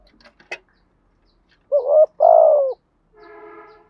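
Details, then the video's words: A few sharp clicks, then a spotted dove decoy delivers a single 'gù thúc' phrase in 'giọng thổ' style: a brief coo and a longer steady, slightly falling one, followed by a soft buzzing hum. "chim cu gáy mồi gù thúc bài bản/ chim cu mồi gù thúc giọng thổ rất bài bản"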